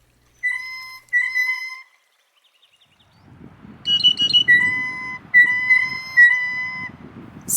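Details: Blue Jay giving its squeaky gate call, made while bobbing up and down: clear, ringing, slightly creaky whistled notes in short bursts about a second apart, later over a low rumbling background, in woods.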